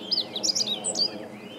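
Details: Meadow Bunting (Emberiza cioides) singing, 20 March 2015: a quick, jumbled phrase of high, sharp chirps and short slurred notes lasting about a second, over faint background hiss.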